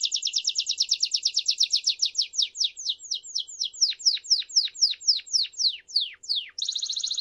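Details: A crested Belgian canary calls, singing a rapid trill of high notes, then slowing into a run of sweeping downward-slurred notes before a fast trill returns.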